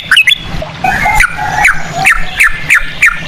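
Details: Trucukan (yellow-vented bulbul) lure song with cucak rowo phrasing: a quick opening flourish, then lower mellow notes and a series of sharp falling chirps about every third of a second.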